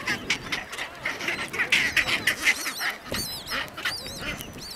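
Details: Chinstrap penguins fighting in the Antarctic, chicks present; rasping, braying calls pulse repeatedly for three seconds, then a few thin wavering whistles sound near the end over colony background.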